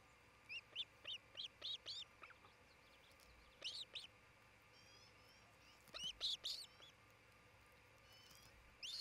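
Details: Osprey at a Montana nest in Charlo, where a pair is raising a family, midday 27 June 2018 nest cam: a rhythmic row of high, thin chirps, then a pause and a louder cluster of sharp whistles.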